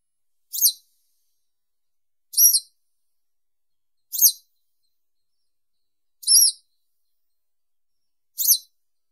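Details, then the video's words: Western yellow wagtail repeats single short, high, slurred notes roughly every two seconds, five in all, clean and unaccompanied. "Как поёт Трясогузка жёлтая (Motacilla flava)"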